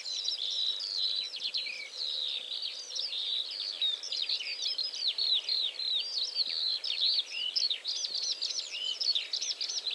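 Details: Whinchat recorded in central Poland: a dense, unbroken stream of high, scratchy chirps and quick twittering notes tumbling over one another, with a faint steady hiss beneath.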